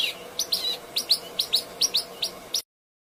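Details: Bird giving bright, high chirps in quick pairs and singles, roughly two each second, irregularly spaced over a faint hum, ending abruptly.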